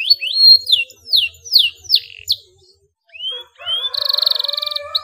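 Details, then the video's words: Canary song meant to stimulate mute canaries to sing: five loud rising-and-falling whistled sweeps about every half second, a brief pause, rising whistles, then a rapid buzzy trill. "SUARA KENARI GACOR NGEROLL JERNIH INI TERBUKTI DAPAT MERANGSANG BUNYI KENARI BISU"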